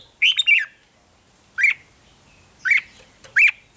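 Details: Red-whiskered bulbul, recorded in Thailand for playing to caged birds to make them lively: slightly harsh, slurred whistled notes, a three-note opening phrase followed by single and paired chirps.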